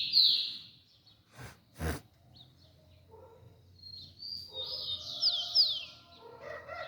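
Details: On August 3 a rufous-collared sparrow gives a bright high whistle, then after a quiet stretch broken by two sharp knocks, a run of quick slurred whistles and a short trill.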